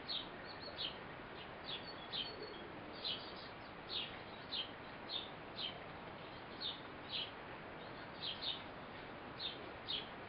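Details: Eurasian blue tit parent feeding a fledgling: a long run of thin, high chirps, some doubled, repeating every half second or so over a constant background hiss.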